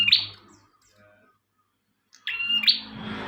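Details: Bar-winged prinia singing actively, recorded as a master for training songbirds: a short burst of sharp high chirps, a pause of nearly two seconds, then a second louder chirping phrase ending in a buzzy trail.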